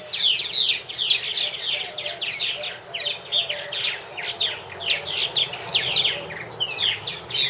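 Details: Loud, steady chattering of purple martins at nest houses, 2014: many down-slurred chirps and rolling gurgles from several birds overlapping without pause.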